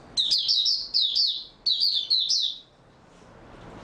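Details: Oriental white-eye song recorded 3 March 2022, the bird having slept well the night before: rapid, thin, high warbling notes in four tight bursts, then a quiet tail of soft hiss.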